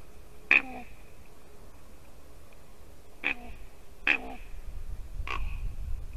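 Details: Ravens visiting a white-tailed eagle nest in Latvia, 2 December 2019 at 8:59 AM, calling while the female eagle sits on the nest. Four short, sharp knocking notes, spaced irregularly, over a low background hum.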